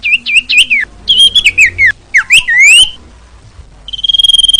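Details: Female common iora call used to lure males, a bright series of warbled, rapidly modulated whistles in short bursts, ending in a sustained pulsing whistle.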